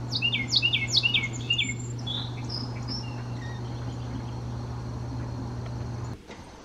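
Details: Male Carolina wren sings its classic 'teacher teacher teacher' song, a loud, rolling string of about six quick ringing phrases, each dropping in pitch, then falls quiet; a few thin notes from other birds and a steady low hum follow.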